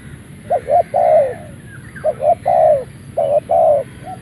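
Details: Spotted dove of Malaysian line, caged decoy, crowing right out of its box: three mellow cooing phrases, each two quick hoots followed by a longer, slightly falling coo, with light background bird chatter.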